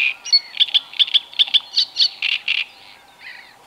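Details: At the Tovačov fishponds in the Czech Republic, 2013–2014, a great crested grebe with chicks; quick series of sharp high squeaky notes, some with whistled overtones, fading into softer trailing peeps.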